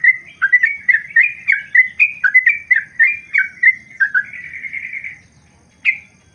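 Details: Yellow-vented bulbul, trucukan, giving long ropel song for tutoring: fast series of whistled, bubbly notes that blur into a sustained warbling trill, then silence and one final sharp note; faint low background hum.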